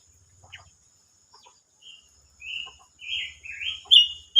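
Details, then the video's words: Silver-eared mesia singing, recorded 25 May 2022: soft scattered chips at first, then a run of loud, slurred whistled notes rising and falling over the last two seconds, with faint low clicking in the background. "chim ngú sắc hót"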